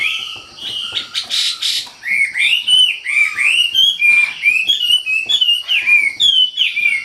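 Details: Wambi singing with vigour: a brief harsh burst early, then a steady stream of quick, varied whistled notes sweeping up and down, packed closely together.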